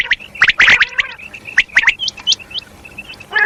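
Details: Calling female common quail, known locally as batair: dense bursts of bright chirping notes at the start, then spaced short whistles and upswept chirps, and a harsh rattly burst at the very end.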